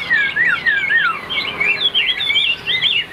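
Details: Chinese hwamei kept as a cage bird in Vietnam, praised for singing high, delivering clear looping whistles that rise and fall in quick succession, each phrase sliding smoothly up and down without pause.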